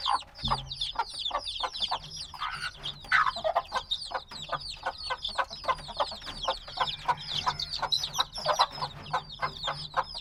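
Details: Black chicks hatched days ago chirp as a crowd: a dense wall of rapid high peeps, many birds at once, with brief lower rustling and murmuring beneath.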